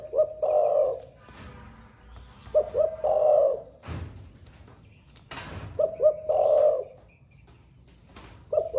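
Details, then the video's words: Spotted dove in a cage, newly singing in the thổ pha style. It repeats deep cooing phrases about three times: two brief hoots, then a longer vibrating coo. Knocking clicks are heard between the phrases. "Cu gáy 800k giọng THỔ PHA mới nổi gáy cả ngày"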